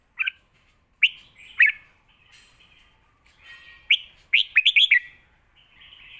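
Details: Thai caged red-whiskered bulbul delivering a fierce Lak Wai master song for teaching young birds: short bright whistled phrases spaced about a second apart, ending in a rapid bubbling run of four or five slurred notes.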